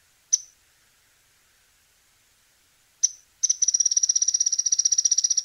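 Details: Mouse-colored Tyrannulet from Argentina: two sharp, high isolated chips a few seconds apart, then a fast, even, high-pitched chattering trill of rapidly repeated notes continuing to the end; no other sounds.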